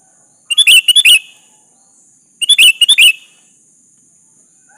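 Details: Lively sooty-headed bulbul singing to draw a rival into answering: two bursts of quick, bright chirping notes about two seconds apart, each a tight cluster of bubbly phrases, over a faint steady high hiss.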